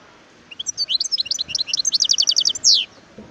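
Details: Wild European goldfinch in full song: a dense two-second cascade of high tinkling twitters that ends in a rapid repeated series and a final drawn-out buzzy note sliding downward.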